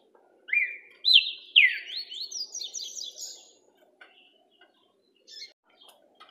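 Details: Green-winged saltator (trinca-ferro) singing in an orderly way: clear whistled phrases that rise and then sweep down, climbing higher through a rapid run of notes over about three seconds, followed by faint scattered chips.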